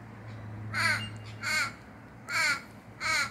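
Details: Crow or raven visiting a garden, calling to draw attention: four harsh, hoarse caws about every three-quarters of a second, each rough and slightly falling, with quiet room hum in the background.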